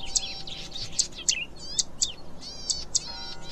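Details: Zitting cisticola, also called streaked fantail warbler (Cisticola juncidis): clipped, very high tick notes at short, uneven intervals, set among overlapping warbled and quavering songs of other birds.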